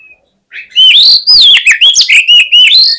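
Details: Loud, rapid fighting song of an Oriental magpie-robin, meant to stir up rival birds: a fast run of swooping whistles and sharp chattering notes, each phrase rising then dropping, repeated without break.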